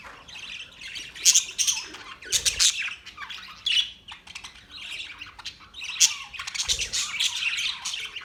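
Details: Budgerigars chatter loudly, fast scratchy squawks and bright chirps in dense bursts about every two seconds, with short quieter gaps between.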